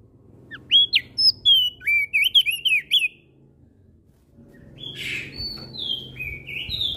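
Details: Javan grey-throated white-eye singing in the ngeplong style, answering other birds: a quick run of loud, clear whistled notes sweeping up and down, a pause, then longer buzzy, slurred phrases from another singer over a low background hum.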